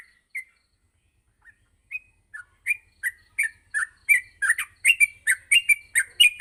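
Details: Yellow-vented bulbul in a morning recording meant to train young bulbuls to sing continuously: sparse single chirps at first, then a quickening run of short, bright, slurred notes repeated about every third of a second.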